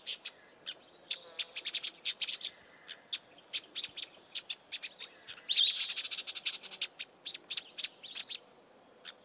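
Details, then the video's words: Two Karoo scrub robins give scratchy alarm calls: dry, high, sharp chips in rapid irregular bursts, some run together into short chatters, with no other sounds. "Karoo Scrub Robin's alarm call"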